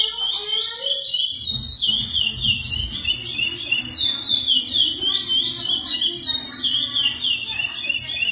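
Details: Lesser seed finch (curió) bred in captivity singing the classic praia song: a brief lower warbling at the start, then strong whistled glides falling and rising in rapid repeated phrases over a low rumbling background.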